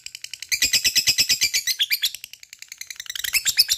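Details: Long ngekek chatter from a lovebird, used as a lure to make other lovebirds sing: quick evenly pulsed harsh high notes starting after half a second, slightly slowing mid-way, then picking up again.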